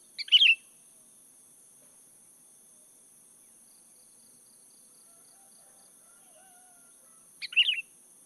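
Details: Sooty-headed bulbul song used for luring: one brief burbling phrase at the start and another about seven seconds later, with near silence between them.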